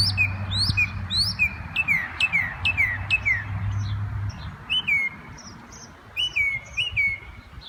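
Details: A Northern Mockingbird in a backyard mimics other birds with a varied string of bright whistles, chirps and down-slurred notes, some phrases repeated, over a low background hum.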